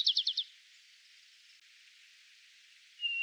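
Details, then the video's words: Male White-crowned Sparrow in Yellowstone National Park singing two song types: four quick, high, chirpy notes in a rapid burst, a pause, then the start of a clear, steady whistle; faint hiss. "Two Song Types from a White Crowned Sparrow"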